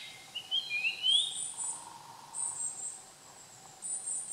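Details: Japanese grosbeak, recorded 30 June 2015, sings one clear whistled phrase of rising, sliding notes, followed by a persistent high insect buzz in pulses and a low steady hum.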